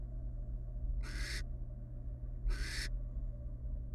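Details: Wild barn owls, a family resting together in a monitored nest box, give two harsh, hissing screeches about one and a half seconds apart over a steady low hum.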